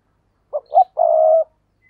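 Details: Single deep cooing phrase from a decoy spotted dove: two short notes quickly followed by one long, steady coo.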